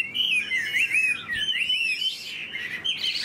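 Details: Tame hwamei in its cage sings a short burst of liquid, wavering whistles, notes rising and falling quickly in a dense, tumbling phrase.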